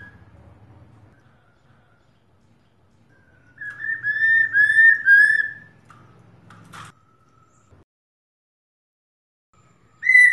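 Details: A female Black-throated laughingthrush (Garrulax chinensis), played to stimulate male birds to sing, gives a clear, warbling whistled phrase of about two seconds with quick wavering notes, then short single whistles over a faint background hum.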